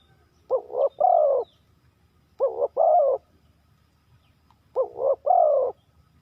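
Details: Spotted dove calling in the style locally called 3 kuk hoi, stepping down through kuk and two-kuk notes: three cooing phrases, each two quick hoarse coos then a longer rolling coo, repeated about every two seconds over quiet background.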